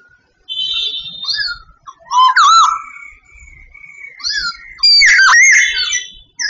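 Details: Sooty babbler from Vietnam singing: loud, rich whistled phrases with bending, looping notes and harmonic overtones, separated by short pauses, in a quiet setting.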